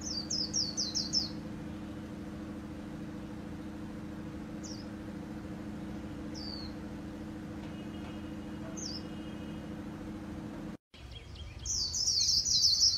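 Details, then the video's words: White-eye singing Vietnam's 'líu' style, from a 2019 selection of keepers' birds: a quick burst of high falling notes, then isolated single down-slurred whistles every couple of seconds, a brief cut, and a loud dense high trill at the end. "KHUYÊN LÍU HAY NHẤT 2019"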